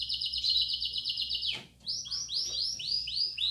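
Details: Belgian canary aviary song in the bell style, played to stimulate young birds: a fast, rattling rolled trill breaks off, and after a short pause comes a quick run of arched, ringing chirps repeated several times a second.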